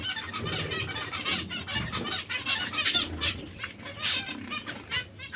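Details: Zebra finches kept as breeding pairs, a dense chorus of short nasal chirps and buzzy notes overlapping almost without pause, with a low background rumble.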